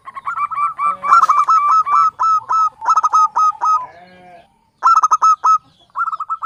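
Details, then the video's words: Javanese local zebra dove song used as a trapping lure: loud, dense bursts of rolling, bubbling coos, notes tumbling quickly with brief pauses, a softer purring passage, then more rapid rolling phrases. "SUARA BURUNG PIKAT PERKUTUT LOKAL JAWA"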